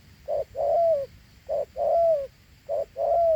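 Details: Clean, loud two-note coos of a Thỏ Hú spotted dove: a short note, then a longer note that slides gently down, three pairs spaced about 1.2 seconds apart.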